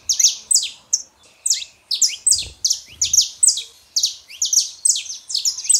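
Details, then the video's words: Saffron finch male and female in song, played to rouse a silent canary: evenly paced sharp high chirps in short clusters, with a couple of soft low thumps midway. "canário da terra fêmea e macho pra esquentar seu canário frio"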